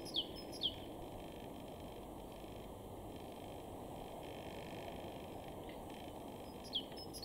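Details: A great tit in a garden in Weener, East Frisia, northwest Germany, in April 2023, gives two quick, sharp, high falling notes, pauses about six seconds, then repeats them, over a steady low rumble of distant traffic.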